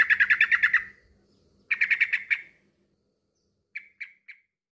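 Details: Male sooty-headed bulbul calling a rival. There are two rapid runs of bubbly chattering notes, then three short, separate chips near the end. A faint low hum sits in the background.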